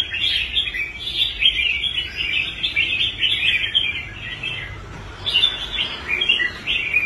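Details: Red-whiskered bulbul kept in a cage, once a fighting bird that quit and was later restored, delivering rapid chattering, warbled phrases in long runs, with a brief pause before the singing resumes.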